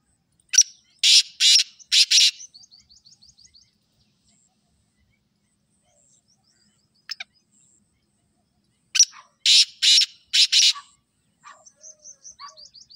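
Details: Black francolin giving two rasping phrases about eight seconds apart. Each phrase has a quick opening note, then three coarse buzzy bursts. Thin, rapid ticking chirps from another bird follow each phrase.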